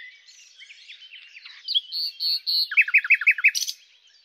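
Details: Soft warbling from a common nightingale, then three drawn-out buzzy notes, followed by a quick run of repeated slurred notes and a final sharp burst.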